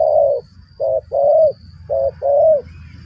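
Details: Spotted dove calling to lure wild doves for trapping. It gives mellow, low coos in a phrase of five notes, with short clipped notes followed by longer, slightly falling ones. Faint low rumble in the background.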